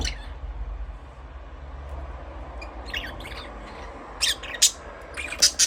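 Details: Budgerigar chirping: after a quiet start, faint high chirps appear near the third second, then short, bright, sharp chirps come in quick clusters over the final two seconds, with low background hum throughout.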